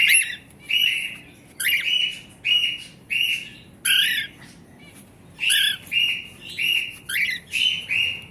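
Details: Cockatiels calling steadily: repeated short, shrill chirps, each about half a second long, coming roughly every second. A few rougher squawks are mixed in. There is little background noise.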